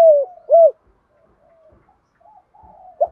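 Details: Spotted dove giving a calling coo in the 'giọng đồng' voice style: two loud arched coos in quick succession, then faint soft murmuring, ending with one more short coo.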